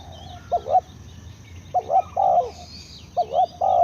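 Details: Spotted dove giving repeated coo phrases, roughly every one and a half seconds. Each phrase is a quick two-part coo followed by a longer, steady croo. Soft chirps of other birds can be heard behind.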